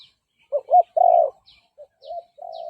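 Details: Spotted dove decoy bird cooing to lure and provoke fighting males; a brief burst of a few soft coo notes, then a longer sustained coo after short pauses.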